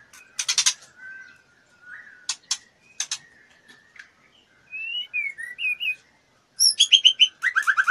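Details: In breeding condition, a female white-rumped shama flutters and solicits mating with dry clicks, short low whistles, then bright rising and falling whistled notes and a closing series of quick repeated chirps.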